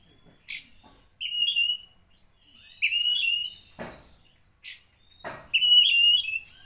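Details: Provoking song of an Oriental magpie-robin: slurred, warbled whistles in phrases a second long, separated by pauses and crisp clicking sounds.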